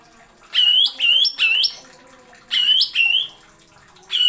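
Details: Greater green leafbird from a tutor recording of nembak-style song with sharp fills. Loud slurred whistles bend upward, then drop, in two clusters of three with a final fragment. A squawky, harmonic-rich tone.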